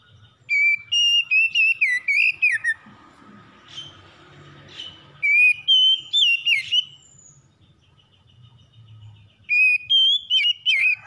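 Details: Morning song of a magpie-robin: three repeated phrases of lively, bending whistles, each lasting about two seconds, with softer chirps and a faint murmur between them.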